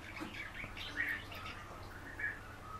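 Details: Common house martin, a kept bird coaxed by its owner to sing, giving soft scratchy chirps and short warbled notes, some rising, scattered through the clip over a steady low electrical hum.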